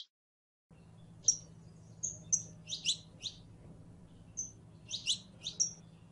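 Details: Canary hen in heat calling a male to mate: brief high whistles and paired chirps spaced irregularly, after a short silent opening, with a steady low hum beneath.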